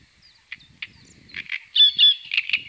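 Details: Great crested grebe accompanied by chicks on the Tovačov ponds, Czech Republic, 2013–2014: scattered short high peeps build into louder, drawn-out whistled notes near the end, with faint low murmuring beneath.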